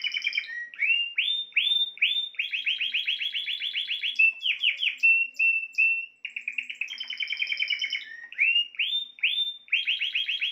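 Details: Spanish timbrado canary delivering a long unbroken song: fast bell-like rolling trills, clipped repeated syllables and short sustained whistles, changing tempo from phrase to phrase with no pause; clean, quiet background.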